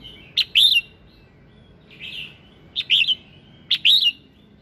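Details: Red-whiskered bulbul singing in the morning to stir other birds to sing: sharp clicks leading into loud arched whistled phrases, repeated roughly every second, with one softer mellow warble between.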